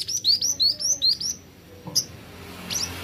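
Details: Plain flowerpecker (Dicaeum minullum) song: a quick run of seven thin, very high, sharp notes, about five a second, then a pause and two more high ticks.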